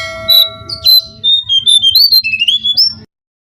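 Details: Brown-cheeked fulvetta song used as a lure to attract birds: a quick run of clear whistled notes that step up and down, with a steady electronic tone humming underneath during the first second and low rumbling below.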